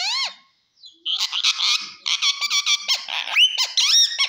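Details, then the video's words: Green parrot talking in loud harmonic squawks and chattering syllables, a falling opening note, a short pause, then rapid repeated raspy notes mixed with upward-sweeping whistled tones. "parrot talk everything cute talking funny"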